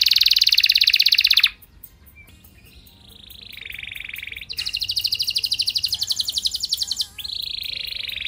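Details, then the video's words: Canary song used to trigger other canaries to respond: a loud high rattling trill, a quieter softer section, then more rapid pulsed trills at shifting pitches, fairly high overall. "Burung Kenari gacor Nembak mantap! Buat Kenar Lain Bakal Langsung Respon Ikut Gacor Panjang"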